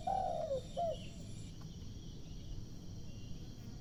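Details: Spotted dove (terkukur) cooing while perched on a lamp post: one soft, low, hooting phrase with a falling end, followed by a short extra note, then steady background noise.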